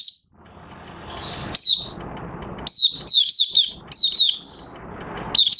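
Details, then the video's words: Oriental white-eye, 30 August 2022, starting its song as moulted white feathers finish colouring; short high twittering notes, first scattered, then a run of quick descending chirps over a soft hiss of room noise. "Mata Puteh Raja Buka Sing"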